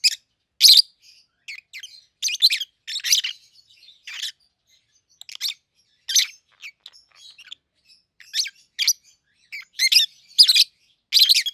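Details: Two captive peach-faced lovebirds, red-headed green opaline and red-faced dark green, 7-8 months old, chattering steadily with harsh high chirps and squeaks in irregular bursts throughout.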